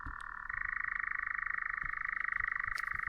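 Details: European nightjar on Aegna island, Estonia, giving its steady, dry, mechanical churr overnight during a warm summer night: a fast unbroken trill that steps up slightly in pitch early on, with a few faint clicks in the background.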